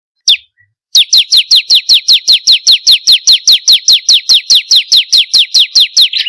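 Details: Bar-winged prinia song, played as a lure to get captive birds singing: one sharp chirp, a pause, then a steady run of about twenty-two bright, high downslurred notes, roughly four each second, ending in a short buzz.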